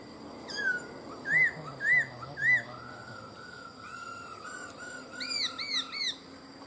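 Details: Black-throated laughingthrush, a captive bird with tail growing in and sex undetermined, sings three loud clear arched whistles half a second apart, then thinner, higher rising-falling notes over a low steady hum.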